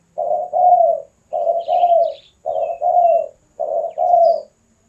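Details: Vigorous Spotted dove song meant for luring and song training: four evenly spaced phrases of soft, low coos, each a brief note leading into a longer, slightly falling one; faint high chirping behind.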